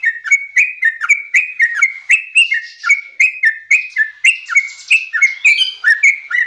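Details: A young Yellow-vented Bulbul chatters in quick, bubbly whistled notes, about three or four a second, each note dipping and rising, with no other sounds.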